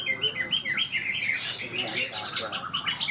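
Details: Caged greater green leafbirds (cucak ijo) competing in song at Ronggolawe, Malinau, North Kalimantan; fast run of high whistled, sweeping notes and chattering twitters from several birds, with background voices.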